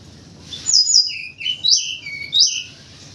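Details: White-crowned forktail in vigorous morning voice, used as a lure: a few sharp high whistled phrases with steep downward slides, separated by short pauses, over a quiet background.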